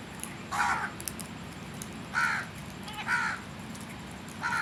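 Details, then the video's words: A crow caws four times in a loose series, harsh nasal notes about a second apart, over a constant low hum. "Crows Sounds"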